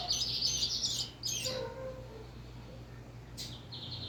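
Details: Caged brown lined seedeater (bigodinho pardo) under a cover gives a bright, rapid, high twittering phrase. A lower trailing note follows, then quiet with a brief high chirp near the end. Low background hum.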